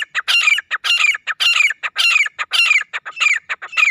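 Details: Partridge call used for hunting: loud, harsh, rhythmic phrases repeated about every half second, each with a sharp rising-then-falling whistled note over clipped grating bursts, continuous throughout.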